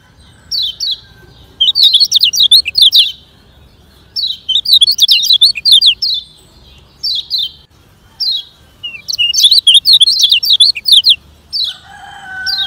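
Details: Lemon-bellied white-eye in fast, energetic song, used for training slow-singing birds: bursts of rapid high twittering with sharp up-and-down slurred notes, separated by short pauses, a faint lower whistled tone near the end.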